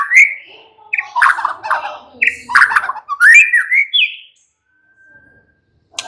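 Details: White-rumped shama (murai batu) singing in a relaxed style; rich whistles and harsher chattering notes in short bursts, ending in a rising whistle, followed by near silence.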